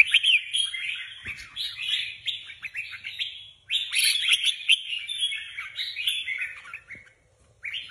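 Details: Red-whiskered Bulbul competition birds, caged and prepared for a contest, give a run of rapid chattering warbles and slurred whistles, pausing once after a few seconds and again near the end.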